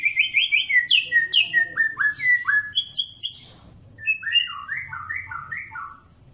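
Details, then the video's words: White-rumped shama of the Pastol type, undergoing mental training, singing: rapid strings of bright whistled notes, some sweeping down sharply, then a slower run of paired rising-falling whistles that fades out. "Cara Melatih Mental Murai Batu Pastol"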